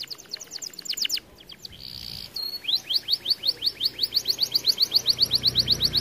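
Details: Red variant canary singing to stimulate other canaries to sing: rapid series of descending high whistled sweeps, a brief buzzy trill in the middle, then a fast even run of rising chirped notes repeated about four times a second.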